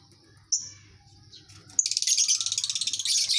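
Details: Lovebird colony recording to spur long ngekek singing: a single piercing chirp, then a rapid rattling chatter of many quick high pulses that continues to the end, over a low hum.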